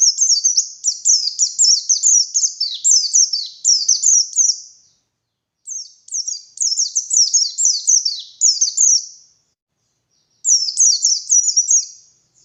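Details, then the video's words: High, rapid chattering song of a white-eye used as a morning lure, given in three bursts of quick falling chirps separated by short silences. "Suara Burung Pleci Gacor || Pancingan Pleci Ngalas Pagi Hari"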